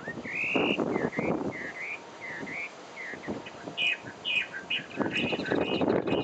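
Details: Taiwan hwamei, a species endemic to Taiwan, singing loud whistled phrases that slur up and down, repeated rapidly in a varied string, over low rumbling background noise.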